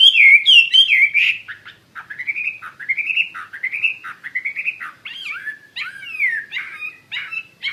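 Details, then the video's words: Wambi mandarin bird singing actively with varied whistled phrases: quick twittering notes, then a series of short rising and falling slurs in uneven rhythm, and sharp descending whistles near the end. "Burung Wambi Mandarin Gacor Joss"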